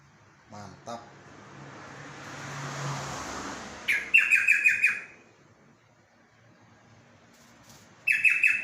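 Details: Singing yellow-vented bulbul: after a few faint clicks, a loud burst of quick chattering, bubbly notes lasting about a second, then a second similar burst several seconds later, with a low hum between.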